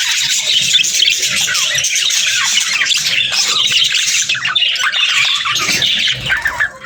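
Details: Pairs of pet budgerigars chattering to each other, a dense, continuous stream of high warbles, squeaks and chirps overlapping without pause, fading slightly at the very end.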